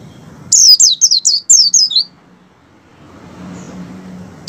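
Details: Oriental white-eye in breeding condition, a song used to lure captive white-eyes into singing: a fast run of high, sharp descending whistled notes for about one second, then silence with faint low hum.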